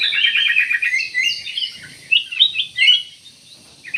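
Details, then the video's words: Rapid stuttering chirps from a black-capped bulbul open into a string of clear whistled notes, with a few sharp, loud accents near the end. "BURUNG CUCAK EMAS / KUTILANG EMAS"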